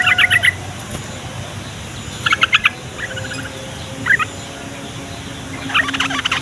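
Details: Yellow-vented bulbul song, used as a lure so young, lazy or flock-kept bulbuls of either sex answer and wild ones approach; short bubbly bursts of quick clipped notes, repeated in several separate phrases, with a faint low background hum.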